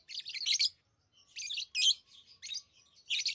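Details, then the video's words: Lovebirds kept as pets chirping loudly: dense, grating high-pitched bursts, about five clusters in three seconds, separated by short pauses, nothing else audible. "Love birds Sounds | lovebirds chirping sounds"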